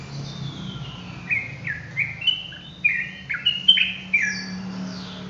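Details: Yellow-vented bulbul (trucukan) in full rolling 'ropelan' song: a string of short slurred whistled notes, several dropping in pitch, loosely spaced over about four seconds above a steady low hum.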